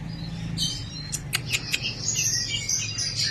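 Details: A caged White-rumped shama (murai batu), recorded 2 February 2024, gives high, thin chirps, sharp chips and brief warbled whistles over a low steady hum and faint background music.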